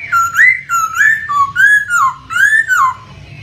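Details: Laughingthrush whistled song meant to stir a silent bird into answering: rich looping whistles rising and falling in quick succession, about six phrases in three seconds, with faint running water underneath.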